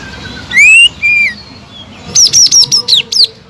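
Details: Greater green leafbird kept as a songbird gives two clear rising and level whistles, then a rapid series of six sharp, high downslurred chips.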